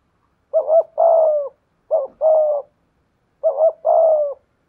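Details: Spotted dove coos from a decoy contest against a wild dove, 'thổ' voice mixed with 'thúc gù': three deep two-part phrases, a quick wavering note then a longer steady coo, about a second and a half apart.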